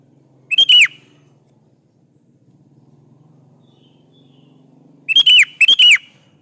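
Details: Sooty-headed bulbul (kutilang) singing as a lure for other bulbuls: one clear falling whistled phrase, a pause of about four seconds with a soft low hum, then two more quick phrases in a row.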